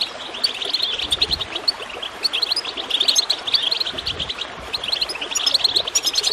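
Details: Goldfinch twittering beside gurgling water, rapid high chirps and short trills pouring on continuously, with occasional low watery splashes underneath.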